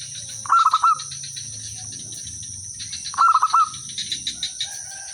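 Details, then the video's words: Local village zebra dove cooing as a lure to make other doves answer: two bursts of rapid throaty coos about three seconds apart, over a steady high insect-like hiss. "suara merbok kampung/perkutut lokal gacor manggung jadi pikat pancingan semua jadi nyaut"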